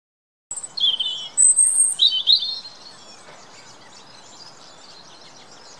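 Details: European robins singing in the UK, a bright burst of high, liquid warbling phrases that jump between sharp thin whistles and lower trills before fading into quiet background hiss.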